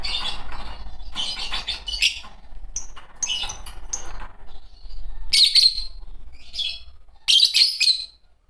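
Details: A pair of green Fischer's lovebirds chirping: rapid bursts of harsh, high twittering notes, roughly four per second, broken by short pauses, with a low hum beneath.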